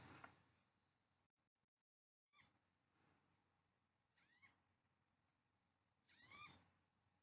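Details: Green-tailed Towhee in Nevada giving its mew call, sweeter and softer than the Spotted Towhee's harsh scold: three soft, sweet, cat-like mews about every two seconds, each a quick slurred rise and fall, over faint background hiss.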